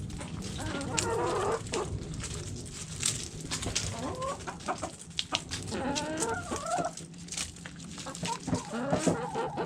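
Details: Hens in a backyard flock eating food scraps give repeated stacked, nasal clucks in several bursts spread across the recording, over a steady low hum and scattered pecking clicks.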